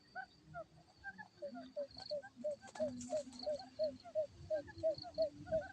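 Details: Quail call used for trapping: soft low hooting notes repeated about three times per second in a steady series, with a thin high tone and faint rural background.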